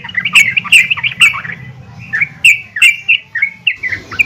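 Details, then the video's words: Female yellow-vented bulbul calling to other bulbuls: loud, chirpy bubbling notes in short bursts with quick gaps, some notes bending up and down, over a faint low hum. "PANGGILAN BURUNG TRUCUKAN BETINA GACOR||MEMANGGIL TRUCUKAN LAIN AGAR RAJIN BUNYI"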